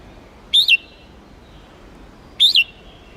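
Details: Hue-type red-whiskered bulbul in contest-song training to fire up wild-caught birds: two short, high, two-part whistled notes about two seconds apart, a faint steady hum behind.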